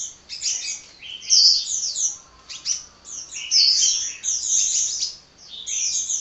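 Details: Continuous hummingbird song of shrill, high-pitched chattering notes packed into bursts about a second long, separated by brief gaps.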